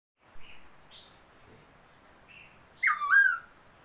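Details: Laughingthrush, described as a new bird, recorded 27 February 2022: three soft short whistles spaced apart, then a loud rich whistled phrase sliding downward with a buzzy upper edge, over faint background hiss.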